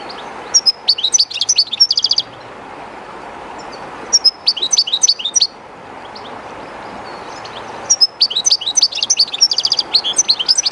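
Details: Kept European goldfinch singing close to the current of the Jerte river, somewhat timid in a strange place: three separate phrases of bright, rapid twittering notes with short buzzy trills, gaps between them filled by constant rushing water.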